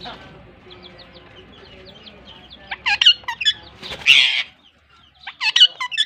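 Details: Two Pakistan ringnecks (rose-ringed parakeets) chirping to each other as a pair in Larkana, Sindh: soft low chatter first, then loud sharp screechy bursts and a harsh rasp, a brief pause, and more shrill calls.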